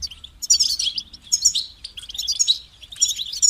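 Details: European goldfinch delivering quick, bright twittering phrases of tinkling high notes and short trills, repeated about once a second with short gaps, over a faint low hum.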